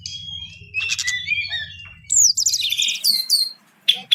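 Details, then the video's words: Brown-chested jungle flycatcher pouring out a rolling song of warbled whistles and scratchy notes, then a fast run of high twittering, with a low hum in the first half and a brief pause before final chirps. "BURUNG SIKATAN RIMBA DADA COKLAT NGEROOLL PANJAAAANG"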